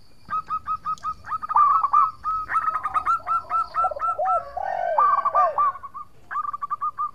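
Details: Local zebra dove in full vigorous song for luring and triggering rival birds to respond. Long trains of quick staccato coos alternate with a few lower, bending coo notes, all steady and rhythmic.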